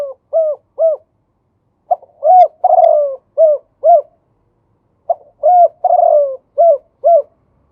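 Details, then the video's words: Two phrases of cooing from a male spotted dove in the khan yon 2 kuk song style. Each phrase has short hollow coos and one longer rolling note, and the phrases are separated by brief pauses. No other sounds. "มาชม คูอ่าง ขันโยน2กุก" พ่อนกคูอ่าง ภาพเสียงชัด"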